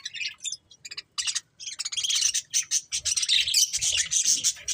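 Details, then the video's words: Pet budgerigars with a few sparse chirps building into dense, continuous buzzy chatter threaded with thin whistled notes, loud and overlapping toward the end. "Beautiful Budgies Chirping Sounds"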